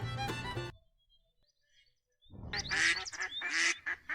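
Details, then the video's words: Domestic duck quacking: after a short burst of music and a pause, a quick run of nasal, harsh quacks repeated in uneven bursts fills the last two seconds. "SOM DO PATO"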